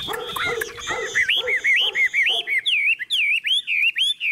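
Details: Tame caged Chinese hwamei singing. Mixed chattering notes give way to a steady series of clear, looping whistles, each rising then dipping, repeated about twice a second.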